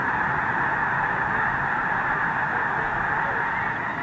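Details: Geese waking on a dark, overcast morning at Squaw Creek National Wildlife Refuge, Mound City, Missouri, crowded onto unfrozen water before leaving to feed in nearby fields; a dense, unbroken chorus of overlapping honks fills the whole stretch.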